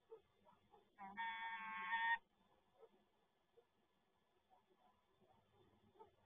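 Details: A resident female peregrine falcon on a monitoring camera at a PGE power plant in Toruń, Poland, gives one harsh, nasal, drawn-out wail lasting about a second, steady in pitch. Faint background noise follows.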